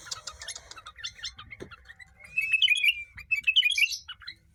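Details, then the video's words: Sooty-headed bulbul kept as a tame hand-raised cage bird in Tegal, Indonesia, singing shrike-like imitations: soft mixed chattering notes, then louder clusters of sharp rising and falling whistles. "Kutilang jawa Gacor rasa cenDet"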